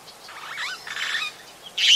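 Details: Long-tailed glossy starling calling at Oyster Creek on the Coast Road in The Gambia, close recording; slurred, warbling notes sweeping up and down, then a louder harsh burst at the end.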